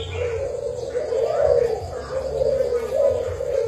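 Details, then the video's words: Low, mellow cooing from a spotted dove used as a decoy bird of Thai stock, its notes rising slightly in loudness mid-phrase over a low rumbling hum. "Cu gáy mồi thailand"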